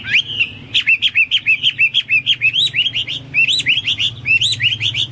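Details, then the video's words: Hwamei singing a fast series of rising whistled notes, repeated rapidly about three per second, growing into looped, warbled phrases. "Burung Hoa Mi gacor"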